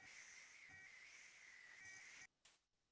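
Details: Red-tailed Hawk (Buteo jamaicensis) giving one long, hoarse, raspy scream lasting about two seconds, slightly falling at the end, followed by a brief faint scrape.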